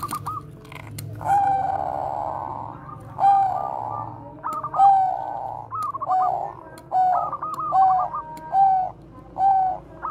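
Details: Zebra dove, Bangkok type, giving a koar-koar bekur song meant as a lure to train other doves. A sustained rough coo opens, then clipped trilled phrases and hoarse notes repeat roughly every second.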